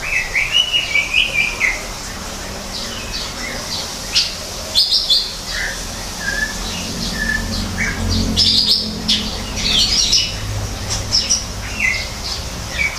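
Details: Greater green leafbird singing in an aviary built as an artificial forest: varied high whistled and chirping phrases, some slurred and rising, some short sharp notes, given in bursts with brief pauses, over a steady low background hum.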